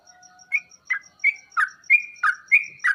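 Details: Sooty-headed bulbul song used to prompt other bulbuls to reply: after soft whistled tones, separate loud whistled notes come about every third of a second, alternately level and dropping, over faint steady high ticks.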